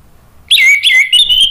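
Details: Orange-headed thrush song, used to coax a stalled bird into answering: a loud, clear, sliding whistled phrase that is broken into three linked segments and holds a steady pitch.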